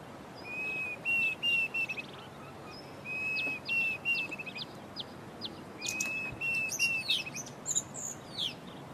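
Diederik cuckoo giving three runs of clear, plaintive whistled notes, three or four to a run; other birds chirp and twitter higher above.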